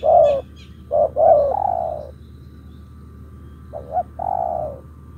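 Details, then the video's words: Spotted dove kept in captivity, 'thúc gù' cooing: a quick double coo, then a brief pause and a long husky coo, the pattern repeated, with a faint high chirp from another bird. "Thúc gù"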